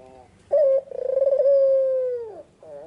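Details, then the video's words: A white, red-eyed Barbary dove coos in the afternoon, giving a short clear note, then a purring, trilled coo that holds level and dips at its close, in a quiet setting. "Suara burung puter putih mata merah full gacor-Nyanyian merdu di sore hari sangat tajam dan jernih"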